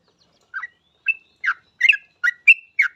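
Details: Short burst of Yellow-vented bulbul song used to draw other bulbuls into singing: seven rich, bubbly chirps, some rising and some with a fluty whistled tail, spaced irregularly. No background noise.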